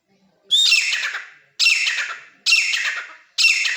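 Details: Wild-caught grey francolin (teetar) now kept at home, calling loudly: after a moment of near silence, four harsh ringing high calls, each fading out, repeated roughly once a second.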